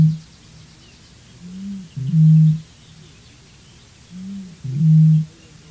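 A great bittern gives two deep, foghorn-like booms about three seconds apart, each opened by a soft gulping intake, over a low background hum.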